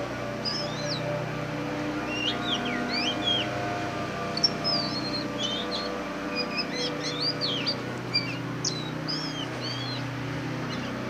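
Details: Black magpie, known locally as than đen and kacer hitam, singing: rapid series of thin whistled and twisting notes, fairly faint, over constant low hum and background noise.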